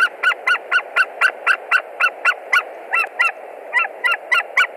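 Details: A white-tailed eagle at a Latvian nest on 20 March 2021, around 16:08, screams a lot as a stranger, probably a young eagle, lands on the branch: a fast run of loud, harsh, goose-like yelps, about four a second, over a low rushing hum.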